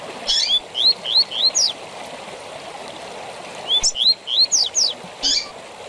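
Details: Seedeater tui tui zel zel song for training captive birds: a phrase of quick rising whistles and high slurs, a pause of about two seconds, then a similar phrase, with steady background rushing.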